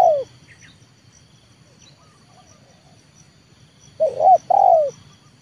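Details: Decoy spotted dove of the 'leopard' type, trained to lure wild doves to the ground. The tail of one coo is heard, then a long quiet gap, then a full phrase near the end: a wavering coo and a longer falling note.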